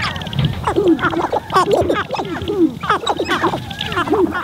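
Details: In spring, several sharp-tailed grouse display on a lek in Montana, filmed from a blind. They call over one another in a busy chorus of clucks, cackles and short rising whines, with wind and blind noise and possibly a faint human voice.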